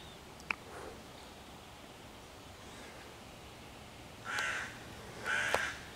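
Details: Hooded crow, 11 June 2023, loudly cawing at five young raccoons sheltering in a tree near their hollow to chase the predators away and call in other crows; a few clicks, then two coarse caws about a second apart.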